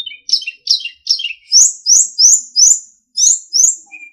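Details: Sulingan singing on a master recording for training captive songbirds, a run of about nine loud downslurred high whistles repeated roughly every third of a second, ending with a soft short note.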